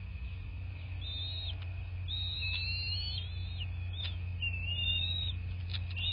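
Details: Bald eagle at the nest, southwest Florida, 26 February 2024, 09:21 nest-camera recording; several thin whistled phrases with wavering, looping contours, broken by faint clicks, over a loud steady low hum.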